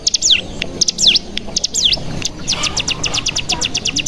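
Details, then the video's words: Bar-winged prinia lure audio played to stimulate singing: three swooping downward-sliding notes, then a fast, steady trill of short high chirps running to the end. "Pancingan Cigun Bahan Agar Bunyi Langsung Ngebren"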